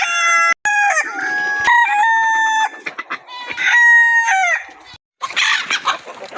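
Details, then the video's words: Crowing rooster giving loud, ringing crows with rich harmonics. Each crow is held steady and then slides down. Abrupt cuts separate the crows, and a burst of noisy clucking follows at the end. "Rooster crowing compilation"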